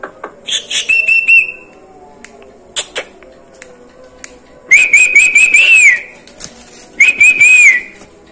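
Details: Jalak kebo, or Asian pied starling, imitating other birds: scattered ticks and a brief trill, then two loud bursts of high wavering whistles with sharp upper overtones.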